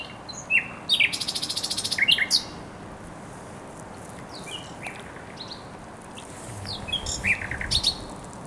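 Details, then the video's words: Spring song of a thrush nightingale by the Żerań Canal, Poland, recorded 24 April 2022: loud, varied whistled phrases with a fast pulsed rattle of repeated notes, pauses, then further sharp whistles and chattering notes. "Śpiew słowika rdzawego na Kanale Żerańskim"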